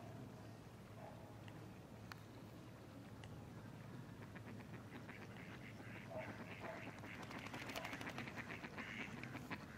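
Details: Goosander (common merganser) at Zbiljsko Lake, 28 November 2023, giving low, harsh, duck-like croaks that pick up in the second half, over steady low rumbling background noise.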